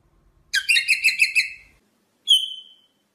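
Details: Rosella song: a quick run of about eight buzzy, harmonic chirped notes, then a pause and one clear, steady high whistle that fades out.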